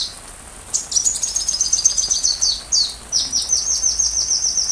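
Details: Sunbird song recorded as tutor material for a white-rumped shama: after a quiet start, a rapid run of high, thin, repeated chirps, briefly pausing, then resuming in an even, fast series.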